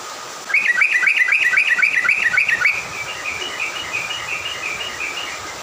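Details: Morning songbird song meant to rile other birds: a rapid rhythmic series of chirped notes, about four per second, then a softer rambling warble fading out, with constant background hum.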